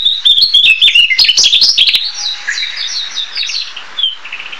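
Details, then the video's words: A Narcissus flycatcher (Ficedula narcissina) sings a rapid run of bright, high warbled phrases with sharp clicks, then softer, more scattered notes trailing off. "黃眉黃鶲(黃眉姬鶲)/Narcissus Flycatcher"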